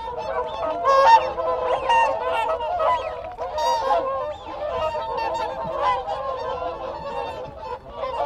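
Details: Group of whooper swans keeping contact, a continuous overlapping honking chorus with a few whistled notes from Wigeon and Canada geese calling in the background.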